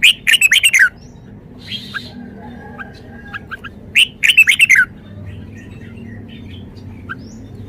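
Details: Red-whiskered bulbul performing its song repertoire: two lively bursts of rapid, ringing warbled notes about four seconds apart, with faint chirps between and a low background hum.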